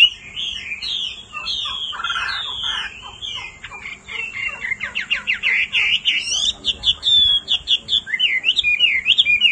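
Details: Male hwamei excited by a female's calls: rich looping whistles, a harsh raspy burst, a rapid rattle of sharp rising notes, then sweet wavering whistled phrases.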